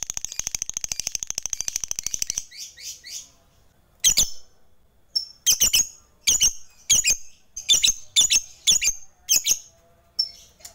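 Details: Lovebird, a fighter-type bird used to call rivals and rouse quiet lovebirds, opens with a fast, even run of high chattering notes for about two seconds. Scattered harsh, loud squawks follow every second or so.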